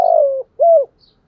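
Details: Spotted dove decoy in the 'thổ' voice used to draw in wild doves. The clip catches the end of a phrase: a drawn-out, slightly grainy falling coo followed by a single rounded coo, then quiet.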